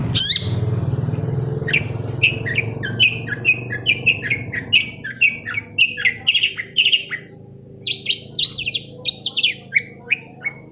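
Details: Shrike singing in response to a lure recording meant to provoke a reluctant bird into song; a quick series of short sharp notes around mid-high pitch, repeated in bursts, over low steady background hum.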